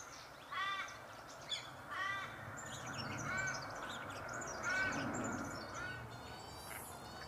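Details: A pair of dollarbirds, probably the male catching cicadas for the other, in summer breeding range in Australia: harsh, rasping, crow-like notes about every one and a half seconds over a steady high insect drone.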